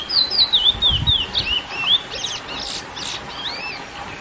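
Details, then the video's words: Lesser seed finch (curió) singing its classic song, used to excite females: clear whistled notes sliding down and up, quick series in the first two seconds, then softer buzzy and rising phrases over steady background hiss. "CURIÓ CANTO CLASSÍCO FOGUEAR FÊMEAS"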